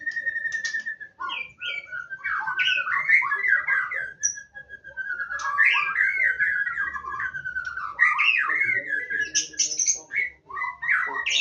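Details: Wild White-rumped shama from Indonesia delivering a long, varied song: a sustained clear whistle, then quick warbled phrases rising and falling, bursts of rapid slurred notes and sharp high squeaks, with only brief pauses.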